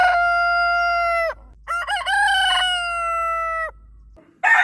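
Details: Morning crows of roosters on a farm: a long, clear, held crow ends, then a second crow with a wavering, stepped start and a long steady note, and a third crow starts at the end.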